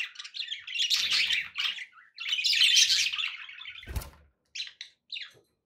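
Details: Pet budgies in long rapid warbling chatter, buzzy and scratchy, two extended runs with a short break, a soft knock, then a few quick chirps.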